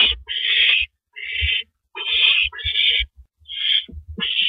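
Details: Harsh, breathy hissing bursts from an owl at its nest during the night's first mouse delivery, 9 April 2012 near 7:58 PM, coming in quick irregular succession, with soft low thumps and scuffles underneath.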